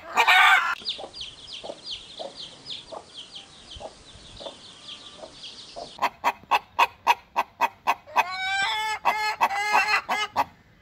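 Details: A domestic flock of hens with chicks: high, down-slurred chick peeps come first, then a rapid regular series of short clucks, ending in drawn-out harmonic squawks from the hens.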